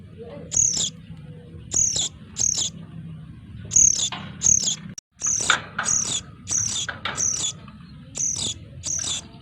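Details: Noisy sooty-headed bulbul chicks calling, a recording used as a lure: harsh, high, rasping chirps in irregular bursts, often doubled, about fourteen in under ten seconds, over a low steady hum.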